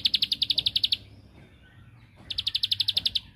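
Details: Bar-winged prinia singing to goad a rival into replying. Two one-second bursts of fast, evenly pulsed, high chattering notes, roughly a dozen per burst, with a quiet pause between them.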